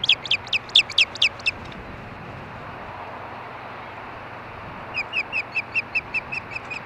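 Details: Ospreys at the Hellgate nest in Montana, filmed by nest camera on 4 May 2013 at 8:30 PM during mating: two bursts of rapid, high, sharp chirped whistles, about eight notes each, separated by a quiet gap over steady background hiss.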